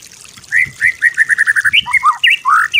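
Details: Master song of a white-rumped shama, meant for other birds to imitate: clear whistled notes repeated in a steady string, followed by looping rising and falling phrases.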